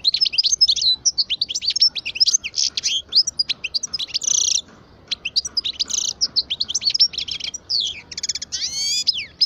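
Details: Continuous twittering song from a twelve-year-old parva goldfinch: dense, high, rapid chirps interrupted by buzzy nasal rattles, ending in a few rising sweeping notes.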